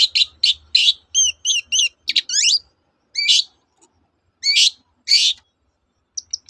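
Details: Singing long-tailed shrike, played to get silent shrikes singing again: quick high chips and wavering trills at first, then a rising slurred phrase and a few spaced harsh bursts, with a faint low hum early on.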